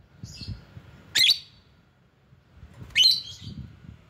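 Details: Lovebird giving a lure call meant to draw in rivals: two loud, piercing, high screeches about two seconds apart, with a fainter squeak before them and soft low rumbling in the background.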